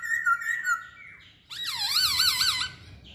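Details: Masked laughingthrush phrase: short wavering whistles, then a loud rich burst of rolling, looping notes lasting about a second.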